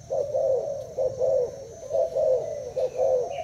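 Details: Caged Thai-type spotted dove cooing in a contest against a decoy bird: mellow, rolling coos repeated in short phrases about once a second, each slightly rising then falling, with a faint steady electrical hum behind.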